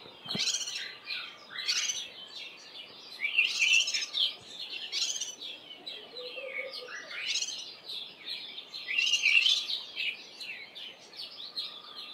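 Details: Early in the morning, Cape white-eyes give high, rapid scolding alarm chatters in harsh bursts every few seconds on seeing a Spotted Eagle-owl perched on a nearby roof, several birds calling together, over a faint steady hum.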